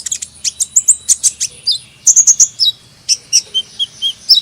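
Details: Hummingbird chattering busily in rapid high tweets, then bright repeated notes, and later softer descending whistled slurs repeated several times.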